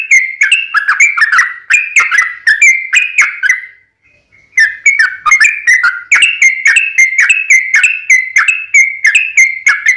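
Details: Sooty-headed bulbul singing as a lure for other birds: fast strings of sharp slurred whistles, a pause of about a second near the middle, then the rapid whistled series resumes to the end.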